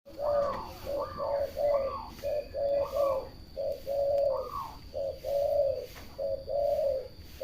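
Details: Local zebra dove cooing steadily: a long series of short, soft coos, some rising to brief higher notes, repeated several times a second with little pause.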